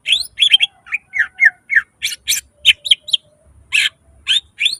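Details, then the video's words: Greater green leafbird singing in energetic full 'gacor' style with mimicked fill-ins: rapid bursts of short, bright chirps and downslurred whistles, packed closely with brief gaps, plus a faint steady low tone. "Suara cucak ijo gacor full nembak isian"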